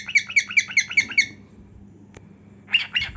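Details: A cockatiel dancing and singing with heartwings displayed gives six quick, scratchy chirps, falls quiet after a single click, then starts again with two louder rough notes.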